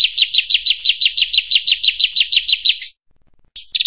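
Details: Prinia (prenjak) song, a masteran training recording: a fast series of sharp, downslurred chirps, about three per second, held for nearly three seconds, then a short pause and a brief burst of notes at the end. No other sounds.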